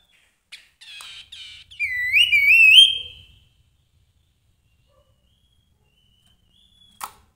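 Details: Grey-headed babbler in lively, full singing form: a few short scratchy chattering notes, then one loud whistle that rises and ripples in a fast wavering trill for about a second before stopping; a brief click near the end.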